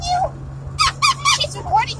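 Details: Three cockatoos riding in a car on a long trip from Arizona to Iowa give a burst of four or five short, harsh, speech-like squawks over a low, steady road hum.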